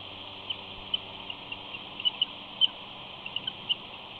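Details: A female bald eagle chirps softly on the nest at Big Bear with her mate and eaglets at 9:30 am on 19 April 2019, seemingly urging that the eaglets be fed first. Thin, high chirps come singly and in pairs over a steady hiss.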